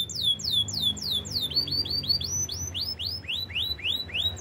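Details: Canary melody made of repeated arching whistles, first descending sweeps and then upward-curving notes, delivered at a lively, even pace throughout.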